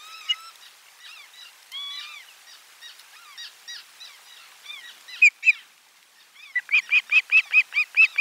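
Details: Ospreys calling at nest 4 as fish arrives for lunch, 12 July 2022. Steady run of arched whistled chirps, a few longer falling notes. A brief loud pair comes midway, then a rapid, even string of loud chirps at the end.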